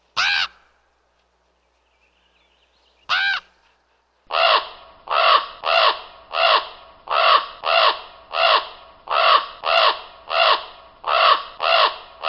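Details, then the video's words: Raven calling: two isolated harsh croaks a few seconds apart, then a steady run of about a dozen hoarse, rasping caws at roughly even intervals of under a second. "What does a raven sound like? | Real raven sound"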